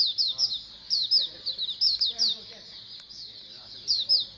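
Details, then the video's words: Oriental white-eye colony twitter for stimulating song: clusters of bright, high, falling chirps, a quieter spell in the second half, then a final burst of notes. "Pleci Koloni agar BUKPAR AGAR RAJIN BUNYI"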